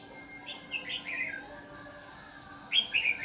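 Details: Red-whiskered bulbul used as a decoy to lure wild bulbuls into a trap, a white-cheeked bird of the ché singing style. Two bright warbled phrases, the first slurred and falling, the second short and rich, with a faint steady hum behind.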